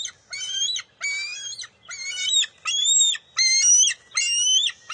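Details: Young bald eagle squabbling with its mother over a fish at the nest, June 23, 2021. Piercing, ringing screams repeat roughly every 0.8 seconds, six in a steady, even run.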